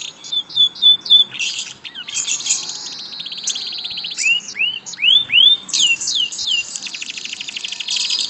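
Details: A canary kept in a cage sings a fast, varied song of trills, buzzy rattles and rising whistled sweeps.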